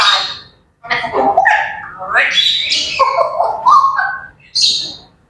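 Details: Pet grey parrots chattering in the morning indoors: a varied jumble of squawks, whistles and speech-like babbling that slides up and down in pitch, broken by short pauses, with a sharp high squawk at the end.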